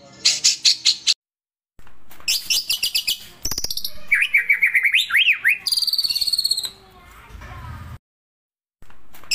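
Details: White-rumped shama singing in the morning as a lure, its song filled with imitations of other birds: a varied run of high sharp chirps, fast trills, and rising slurred whistles, broken by abrupt silent cuts.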